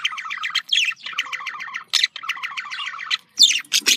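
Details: Budgerigar mating chatter from domestic birds: rapid rhythmic buzzy trills of repeated short notes, stuttering in runs, ending with a few sharp squeaky chirps.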